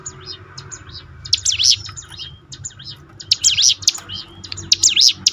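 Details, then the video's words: Bar-winged prinia lure song meant to train birds to sing more often: bright wavering chirps in short clusters over a steady low rumble of background noise. "ciblek gunung mana yang gak tergoda ikut berbunyi"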